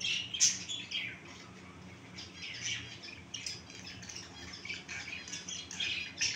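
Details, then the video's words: Several finches give high, thin chirps and twittering notes, rapid and irregular, over a faint background hum. "Finch bird sound"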